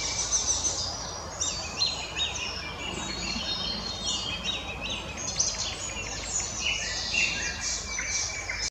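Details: Continuous high, varied song of an Icterine warbler from the Krasnoglinsky area, 12 May 2020: chirps, buzzy phrases and short trills tumbling one after another, with low background rumble.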